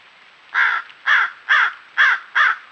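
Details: Male crow caught on a trail camera on an acre of land behind a home in Hendersonville, North Carolina, voicing displeasure at a raccoon stealing its food: five harsh, hoarse caws spaced about half a second apart.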